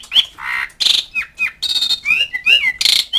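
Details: Asian pied starling calling to companions and rivals: a dense, fast jumble of harsh rasping bursts mixed with clear slurred whistles and squeaky upward-bending notes, almost without a break.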